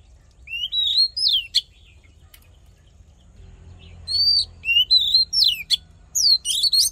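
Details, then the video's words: Oriental magpie-robin fighting song used for voice training and to fire up males: bright whistled phrases sliding up and down, delivered in two bursts separated by a quiet gap of about two seconds. "Hót Đấu Kích Trống Căng Lửa || Luyện Giọng Chòe Than"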